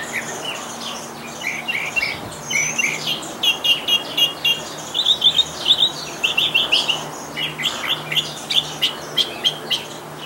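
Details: A northern mockingbird in a backyard sings a rapid, varied run of chirps, trills and sharp repeated notes that change every second or so, with a faint steady hum underneath.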